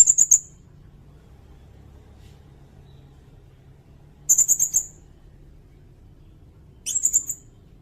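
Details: Recorded sirindet, used as a tutor for other songbirds and for luring, gives short, sharp high trills, three bursts separated by long quiet gaps over a faint low hum.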